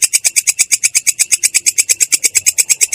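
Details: Rolling song of a long-tailed shrike, clear and harsh in tone: about twenty rasping, scratchy notes in three seconds, delivered in a steady, unbroken rattle with no other sounds.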